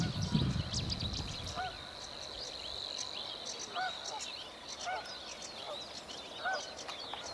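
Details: A rare Savi's warbler sings early morning on 25 April 2011 at Slapton Ley, a steady, buzzy, insect-like reel running unbroken for several seconds, with other birds adding short, lower calls and a brief rumble of wind at the start.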